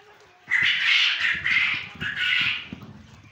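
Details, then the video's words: A farmed male quail in Punjab, Pakistan, gives a harsh, raspy call in three quick bursts over about two seconds, with a low background rumble. "نر بٹیر کی خوبصورت آواز،quail sound,quail voice,quail awaz"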